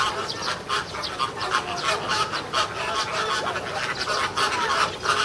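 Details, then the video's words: Flock of American flamingos at Ueno Zoo, Japan, filmed June 2016, appearing to argue: steady stream of nasal, cackling honks, overlapping and irregular, with occasional short rising notes. "言い争う(？)フラミンゴ（上野動物園）Quarrel American Flamingo"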